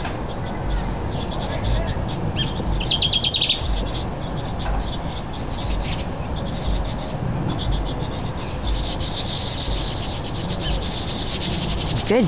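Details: In northern Kentucky, a house wren feeding nestlings in a nest box fusses with fast, harsh, buzzy chatter in bursts to warn off a person standing about five feet away; a person speaks briefly over a low rumble of wind or handling noise.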